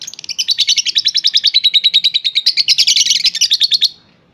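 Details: Three-and-a-half-month-old young lovebird, said to sing in 'stereo' style, giving a continuous fast chatter of high, sharp notes, about three to four per second-tenth rhythm, running nearly four seconds before stopping.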